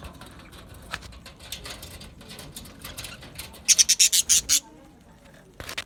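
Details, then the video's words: Budgerigars chirping: a quiet, busy background of soft chatter, then a loud run of about seven sharp, high, evenly spaced chips in quick succession, followed by near silence and a final faint chirp. "Natural Parakeet Singing Birds | Parrots Chirping sounds"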